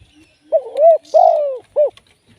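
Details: Live decoy spotted dove used in trapping delivers one clear three-part coo: a wavering opening note, a longer stressed middle coo, then a short closing coo, with near silence around it.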